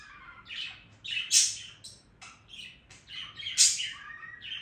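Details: Budgerigar singing in a scratchy, burbling warble, with two louder harsh squawk-like notes about two seconds apart among softer chatter.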